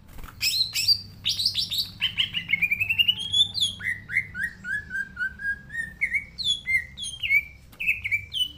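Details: Green leafbird pouring out a long, varied song of rapid high chips, quick trilled runs and repeated downslurred whistles, shifting pitch every few notes.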